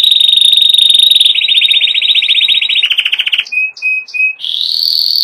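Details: Rolling canary tours: a fast high trill stepping down through buzzy rolls, then three separate short whistled notes, and finally a rising, sustained rapid trill.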